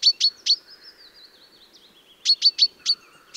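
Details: Common chaffinch sound used as a hunting lure: a quick set of sharp, high pink-like notes, a thin wavering whistle drifting slightly lower, then another series of four or five sharp notes.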